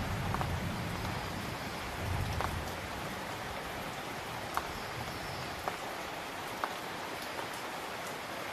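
Steady rain falls on a village during a storm, with drops pattering on surfaces, distant thunder rumbling low, and a few sharp drip clicks; no animal is heard.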